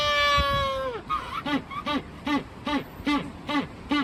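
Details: Magellanic penguins in an aquarium in Joetsu, Japan, erupting into noise after resting. One long sustained bray tails off, then a rhythmic series of short gasping honks follows about every half second.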